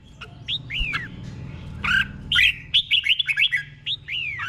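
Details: Doubled 'berl' song, slow and clear, from a caged red-whiskered bulbul for young birds to copy. Separate arched whistles lead into a quick, bubbly run of chirped notes, then two more slurred whistles. Low rumbling noise sits beneath.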